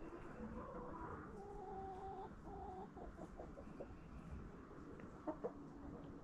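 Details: Backyard hens eating a Halloween pumpkin in fall: a series of drawn-out, harmonic hen calls in the first half, then short clucks and two sharp pecking knocks near the end.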